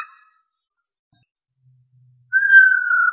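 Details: A female black-throated laughingthrush gives a long "ro ro" call, used to excite males: one long, clear whistled note, held steady and falling slightly, after a brief soft sound and a near-silent pause.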